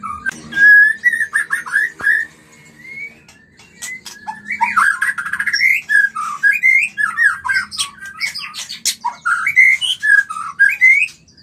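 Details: Mating song of a white-rumped shama, played to stimulate breeding: long stretches of clear sustained whistles and rich warbled phrases, with sharp clicks and varied notes throughout.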